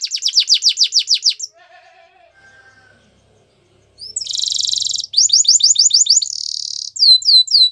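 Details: Canary song with a fast run of descending whistled notes, a soft quiet pause with faint low warbles, then a loud buzzy trill, rapid chattering series and curved swooping whistles.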